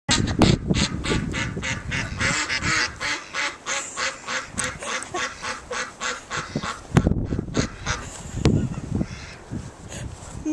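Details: Ducks at Whitby Abbey calling noisily while expecting food from people: rapid, harsh, nasal quacks repeated several times a second in an overlapping chorus, with a few louder bursts near the end.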